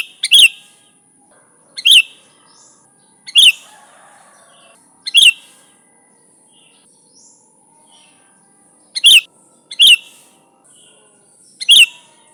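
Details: Vigorous sooty-headed bulbul, recorded alone without added birdsong for luring bulbuls, repeats short bright chirps, each with a small pick note, every one and a half seconds, a longer gap midway, over a thin constant high tone.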